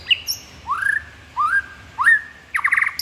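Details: White-rumped shama (murai batu) delivering repeated rising whistled slurs, each upswept then levelling, followed by a quick buzzy chatter, with thin high notes above.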